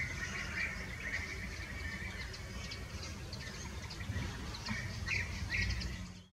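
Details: Harsh, scratchy chattering from fieldfares eating berries in the Eifel comes in two main bouts, at the start and near the end, over steady low background noise.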